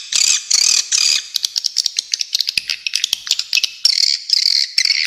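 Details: High-pitched swiftlet twitters: a few buzzy, trilled bursts, then scattered sharp clicks and chips, ending in sustained shrill buzzing chirps.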